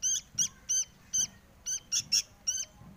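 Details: Sooty-headed bulbul chick begging to be fed: high, thin, squeaky notes repeated rapidly, about nine in three seconds, some paired, with faint low background rumble.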